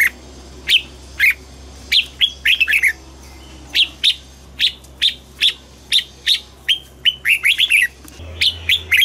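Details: Red-whiskered bulbul singing in the morning in double-note style: steady series of loud, clear, downslurred whistles about every half second, breaking into quicker chattering clusters, with a faint constant hum behind.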